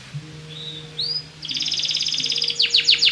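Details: Belgian canary singing to encourage other birds: two soft rising whistles, then a quick buzzy trill and a few sharp descending notes, with a faint low hum behind.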